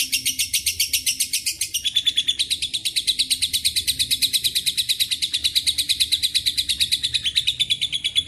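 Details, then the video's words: Lovebird in extended ngekek chatter with fill-in phrases from cililin and canary; a piercing, fast stream of clipped notes pours out nonstop, changing pitch pattern near two seconds and staying strong throughout. "LB NGEKEK PANJANG ISIAN CILILIN & KENARI"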